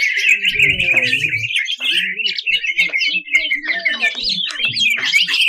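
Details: Greater green leafbird in rough 'tembakan' full-burst singing, a 2021 national contest champion: an unbroken, buzzy, rapidly trilling high phrase with harsh overtones, faint low rumbles at the start.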